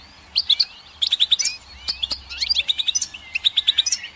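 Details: Goldfinch twittering in quick rhythmic groups of three to five clipped high notes, linked by sliding whistled phrases.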